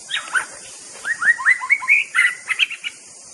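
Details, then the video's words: Song of a white-rumped shama, known locally as murai batu: a lively run of short upslurred whistles climbing step by step, then rapid clipped notes, with constant background hiss. "bird nature sound murai batu"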